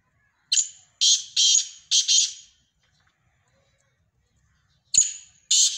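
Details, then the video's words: Black francolin (kala teetar) calling: a harsh, grating phrase of four scratchy notes, the first with a thin whistled lead-in, then a pause before the next phrase begins. "Kala Teetar Ki Awaaz"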